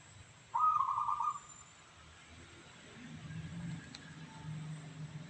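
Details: Zebra dove of local stock (perkutut lokal), 'suara kristal' style, gives one short rolling trilled coo near the start, then falls silent while a low engine-like rumble and hum fill the rest.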